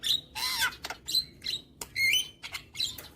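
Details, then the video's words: Javan myna song used to train young birds each morning: harsh buzzy bursts alternating with pure whistled notes, one clearly rising, in a short lively phrase. "Masteran Burung JAlak Kebo Muda Agar Cepat GAcor Manggut Manggut"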